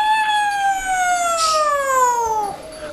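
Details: A rescued pet bird, asked to do a fire engine, imitates a siren: one steady, harmonic-rich wail that slowly slides downward over about two and a half seconds before cutting off.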